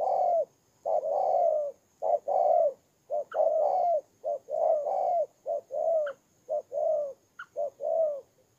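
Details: Kon Tum, Vietnam decoy spotted dove calling persistently: low, soft coos in quick pairs and triplets, a short lead note before a drawn coo, with occasional faint sharp high notes between phrases.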